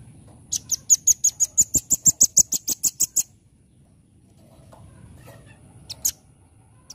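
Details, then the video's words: A nuthatch gives a lively run of about fourteen high, clipped chipping notes, fast and regular, then falls quiet; two isolated sharp chips come a few seconds later over a soft low hum. "Rambatan ( R.P.M ) Gacor Full Nembak Nembak"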